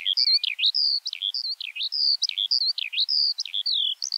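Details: Eurasian skylark in full song: quick chirruping phrases of rising and falling whistled notes strung together nearly two per second, against a faint quiet background.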